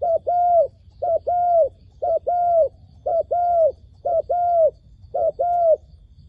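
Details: Decoy dove calling to lure wild doves for trapping: six regular low coo pairs, a brief note then a longer slightly falling one, repeated about once per second in a quiet setting.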